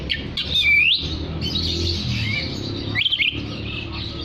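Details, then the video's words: Actively singing oriental magpie-robin calling to others of its kind: a clear whistled note sweeping downward and then up, followed by a scratchy, buzzy warble and a short trill, over low background noise. "Terapi Suara kacer gacor untuk memanggil kacer lain dijamin langsung ikut bunyi"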